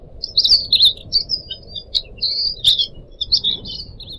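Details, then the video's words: Cuckooshrike (decu), a caged pet bird kept for song training, giving high, thin chirps and short sweet phrases, with brief rapid notes between pauses, over a low steady background murmur. "kicau burung decu kembang"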